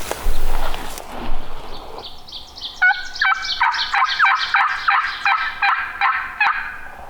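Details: On hilly public land in Minnesota during a morning hunt, a distant Wild Turkey gobbler, being called in by hunters, gobbles a fast, rattling, gurgling run of notes for about four seconds after a burst of wind or handling noise.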